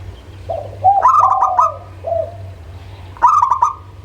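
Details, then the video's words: Local zebra dove song used as a lure to prompt birds reluctant to sing: soft mellow coos, then a burst of quick stuttering clicks with rolling hooted notes, a pause, and another clicking, trilled cooing phrase; steady low hum underneath. "SUARA Pancingan Burung Perkutut LOKAL - AjIb Buat Yang Malas Mangguung"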